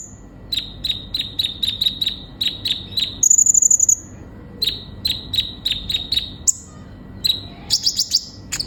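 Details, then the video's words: Kolibri ninja sunbird singing to coax konin into song: steady series of sharp high chirps about four per second, broken by a thin buzzing trill and a closing cluster of notes. "Terapi burung kolibri ninja gacor utk memancing konin bahan cepat bunyi"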